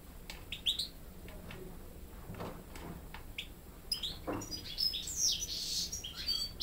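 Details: Young European goldfinch hybrids, raised hearing only goldfinches, learn song from a better-singing goldfinch tutor besides their father; scattered high twittering chirps and short bright notes, irregular and rapid, over low steady background hum.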